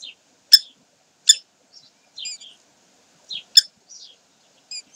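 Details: Common kestrels at Sägeweg, 12 May 2023, giving three piercing, clipped kee notes spaced about a second apart, with quieter twittering chirps of small birds between them.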